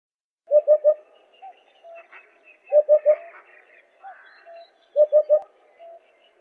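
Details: Eurasian hoopoe giving its soft, low hooting call: three quick hollow 'hoop' notes in a tight group, repeated about every two seconds, with faint chirps of other birds between the groups.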